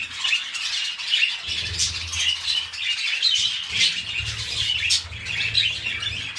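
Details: Pet budgerigars mating as they begin a new brood: continuous high, scratchy warbling chatter with squeaky notes, and a low steady hum running underneath.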